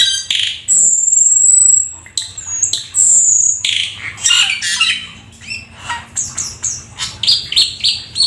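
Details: A Black-winged starling sings its full varied song, opening with long piercing high whistles, then grating squawks and a rapid series of short falling whistled notes.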